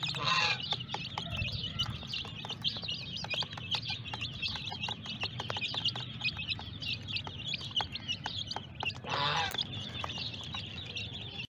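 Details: Group of small colourful chicks producing a steady high cheeping chatter throughout, with louder broad scraping bursts at the start and near the end and a constant low hum underneath.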